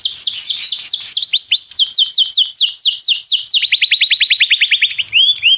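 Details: Tutor song for teaching a young canary to sing, a series of rapid descending whistled syllables repeated in tours, then a quicker, buzzier trill of short notes near the end.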